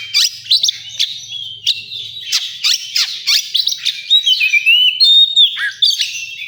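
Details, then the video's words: Oriental magpie-robin singing in a songbird contest area: a rich, varied run of sharp chirps, quick buzzy notes and clear rising and falling whistles, delivered rapidly and without pause. "Suara kacer di area lomba"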